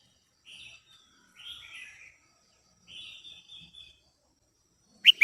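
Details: Female red-whiskered bulbul singing to arouse a male. It gives soft slurred whistled phrases spaced about a second apart, closing with one abrupt loud chirp.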